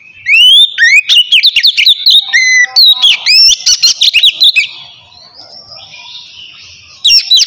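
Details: White-rumped shama singing a relaxed open song used to get lazy birds singing: a long rapid run of loud sweeping whistles and sharp notes for over four seconds, a quiet pause, then a final burst.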